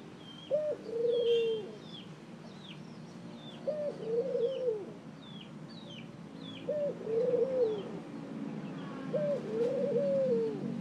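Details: Four mellow coo phrases from a ring-necked dove, roughly every three seconds, each opening with a short sharp note and sliding into a longer falling coo. Another bird whistles high rising notes throughout.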